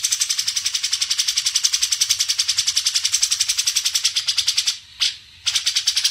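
Grey-cheeked Bulbul giving a fast, harsh, high chatter of about three or four notes a second, run on steadily with one brief break near the end.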